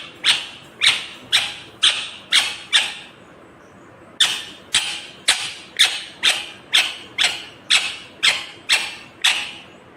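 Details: Indian ringneck parakeet, a green parrot, giving loud harsh calls repeated about twice a second, each a sharp broadband squawk, with a short pause near four seconds before the series resumes; no clear words are heard.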